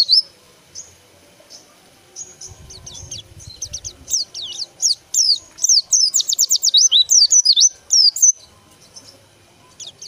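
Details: Soft chirps from a white-eye build into a long, rapid, high warble of sweeping slurred whistles, loudest in the second half, then stop abruptly.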